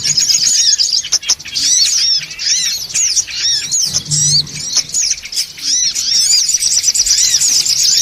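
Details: Noisy songon otong lure sound meant to gather birds: many overlapping shrill squeaks and curved chirping notes, busy and continuous, with brief dips in loudness and a soft low hum.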